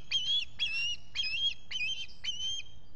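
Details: Nesting osprey in New York's Finger Lakes area, July 2021, morning: five shrill whistled squawks, each bending up then down, spaced about two per second.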